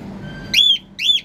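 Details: Hungry cockatiel giving two loud, shrill, rising-and-falling whistled screeches about half a second apart, with a faint low hum in the background.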